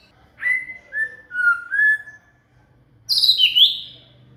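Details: Shama (murai) song meant to train a cililin: several clear sliding whistles at mid pitch, a brief pause, then a high, dense tangle of rapid twittering notes.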